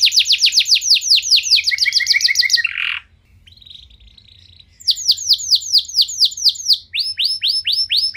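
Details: Canary song played as a lure to get other canaries singing: rapid trills of bright downward-sweeping notes, a short buzzy break, a pause near three seconds, then more fast repeated sweeping phrases with high overtones.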